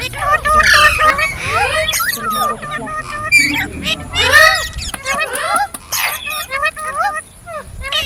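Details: Chorus of green parrots: scattered squawks and curling whistles coming in irregular bursts, some louder honking notes, quieter gaps between, over a faint steady hiss.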